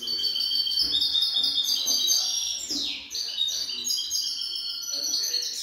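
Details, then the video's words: Song of a young European goldfinch: continuous tinkling, high-pitched twitters and rapid trills, with a swooping downward slur midway, delivered in lively unbroken phrases. "jilguero novel cante"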